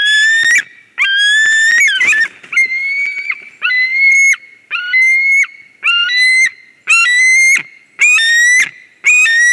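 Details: A ringed stranger drops into a White-tailed eagle nest at Durbe, Latvia, 13 August 2023, and loud, wheezy whistled cries follow. Steady notes repeat about once a second after a rougher, tangled opening.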